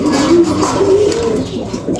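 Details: Seven-year-old pigeon cooing: a low, drawn-out coo that rises slightly, holds, then softens, with faint room noise behind.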